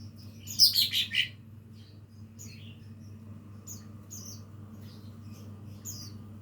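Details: Young lesser green leafbird learning its song: one loud, harsh, descending jumble of quick notes, followed by soft, high, thin chirps scattered over the following seconds, with a low hum underneath.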